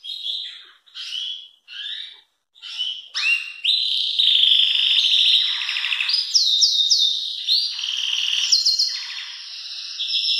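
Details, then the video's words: Belgian canary singing very loudly, offered for training young birds: a few separate short whistled notes, then from about three seconds an unbroken, loud run of rapid rolling trills and buzzy rattles that shift between higher and lower pitches. "Canário belga cantando muito forte"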